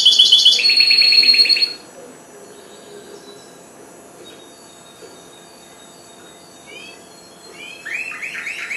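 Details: Goldfinch hybrid, four months old and just starting to sing: a loud burst of rapid trilled, buzzy notes, then near silence broken by a few soft rising chirps near the end.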